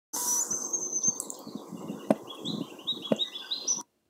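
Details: Ruby-crowned Kinglet singing in Marquette, Michigan, on May 12, 2020: high, thin notes running into a quick, tumbling series of rising and falling phrases, over a steady low rumble with a couple of sharp knocks.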